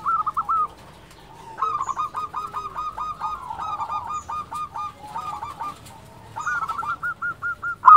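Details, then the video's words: Local zebra dove, a loud and vocal bird used as a lure and training model to provoke other doves to answer. Rapid series of short, hollow, staccato coo notes that run into trilled phrases, in bursts with brief pauses and some overlapping calling. "Perkutut lokal gacor suara besar Biang untuk pancingan SEKALI PUTAR pasti nyaut."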